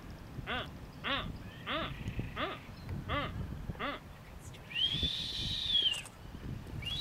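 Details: Blue-footed booby on North Seymour Island, Galapagos, in April 2014, giving six nasal, rasping honks about two-thirds of a second apart, then a long high whistle; faint voices and background murmur.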